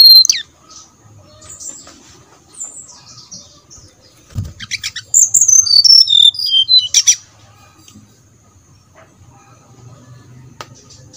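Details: Brown-chested jungle flycatcher song meant to prompt other birds to sing: a quiet opening with soft notes and a dull thump, then one loud burst of high, descending whistles, followed by low background hum.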